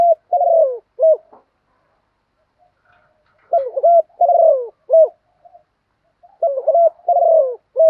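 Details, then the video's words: Female spotted dove calling as a lure to stimulate a male to coo in reply; three low repeated phrases, each a broken opening coo, a long sliding-down coo and a short closing coo, separated by quiet pauses. "chim cu mái gáy gọi một hậu dùng kích trống gáy theo hiệu quả, tiếng chim cu mái mồi gáy gọi"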